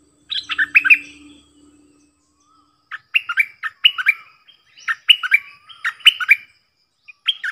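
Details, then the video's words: Cream-vented bulbul singing the doubled 'phleng boen' song style, in 'gacor' singing form, 18 June 2021: short clusters of bright slurred whistles repeated about every second, after an opening phrase and a pause, with a faint low hum. "เสียงนกดอกแตงEp.59 Birds sounds เพลงเบิ้ลของเจ้าเพชร!!Merbah lekir gacor"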